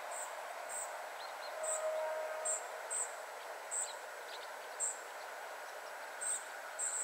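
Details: Family of spotted flycatchers at 51.943564, 20.122272 uttering thin, high notes in an uneven sequence of about eleven, plus faint lower ticks; a brief low steady tone and constant hiss in the background.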